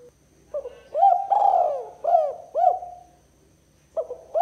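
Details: Spotted dove (tekukur) kuk 2 call used as a lure for rival doves: a low phrase of hooked coos including a long drawn-out note, a quiet gap, then a new phrase beginning.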